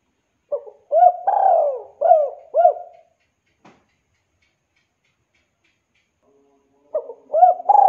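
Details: Young spotted dove cooing, used as a lure to make forest doves answer: a group of low, mellow, hollow coos, one drawn out, then a pause of several seconds before the phrase begins again.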